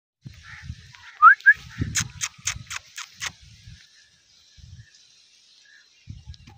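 A rose-ringed parakeet gives two quick rising whistles, then about five short, harsh, speech-like syllables in a fast run. Low background rumble throughout.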